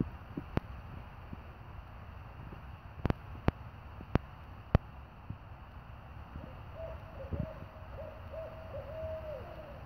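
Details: A barred owl out back gives a drawn-out run of mellow, slightly wavering hoots in the last few seconds, over a low rumble and a few sharp clicks.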